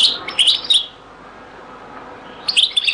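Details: European goldfinch singing in the Beni Messous 'les avocats' (zaboka) style, from a very old recording: two brief bursts of high, tinkling, twittering notes separated by a quiet gap of about one and a half seconds.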